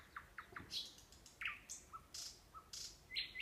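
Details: In Kursk Oblast, Russia, near a sanatorium, a nightingale gives a brief varied phrase of low clicks, high buzzy notes and short whistles in irregular quick succession.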